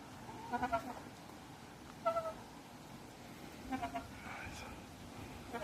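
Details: White peacock, an Indian peafowl, at a natural history museum, giving soft whispering calls: short nasal doubled notes in three spaced bursts, with faint background hum.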